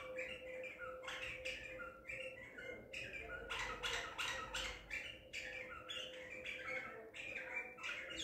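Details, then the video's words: Wild-caught Baghdadi-type White-eared bulbul from Madinat al-Tib, taped 14 April 2021, pours out rapid, uneven bursts of bright chirps and squeaky warbles, about three notes a second, against a constant faint hum. "تغريد بلبل طور بغدادي"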